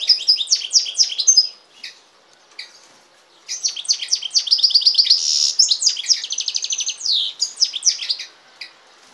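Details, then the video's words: Hybrid of European goldfinch and canary in song, two bursts of quick twittering separated by a short pause, with descending chirps, a brief harsh buzz and rolling trills of repeated notes. "carduelis carduelis x canaria"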